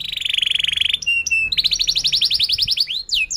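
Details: Emotive canary song used as a prompt for learning young canaries: a rapid buzzy roll, brief steady whistled tones, a second fast trill, then sharp swooping notes.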